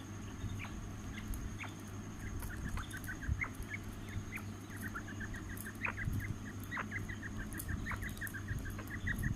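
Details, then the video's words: Fighting quail, a bird kept for fighting, calling in quick series of short high chirped notes, several bursts close together, over a constant deep background hum and faint clicking. "لڑائی والا بٹیر"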